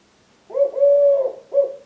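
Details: Male Eurasian collared dove, three years old, giving his "please lay eggs" song to his mate while wing-tapping: a three-part hollow coo, short, then long and steady, then short, low and mellow against near silence.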